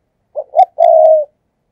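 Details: Lure spotted dove calling in the thúc gù manner, meant to attract wild doves: one phrase of two brief hoots followed by a long, even, slightly falling coo, with no other sounds.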